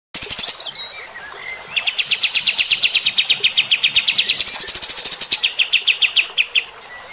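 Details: Kapas tembak bulbul in full, steady song with rough 'tembakan' bursts, meant to provoke fighter-type birds: rapid machine-gun series of sharp chipping notes, some high and hissing, others lower and ringing, delivered without pause.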